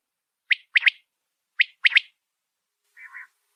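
A female common quail gives two bursts of sharp, rising chirps, one note then a quick pair, followed by a soft, low buzzy note. Nothing else is heard.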